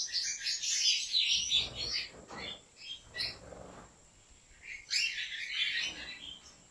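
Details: European goldfinch from a breeder in Turkey sings in two twittering bursts of quick high chirps and trills. The first burst opens the recording and the second comes near the end, with quieter scattered notes between them.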